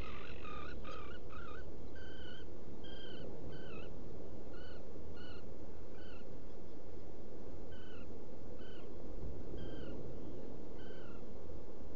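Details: Black guillemot in a nesting burrow on Seal Island NWR, Maine, recorded by burrow camera on 14 June 2018 in early morning: short thin harmonic peeps repeated about once a second over a steady low hum.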